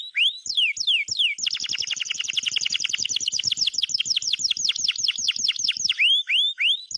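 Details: Canary song of lively trills: a few slow downswept whistles, then a long rapid run of repeated sweeping notes about five per second, ending with slower swept whistles again.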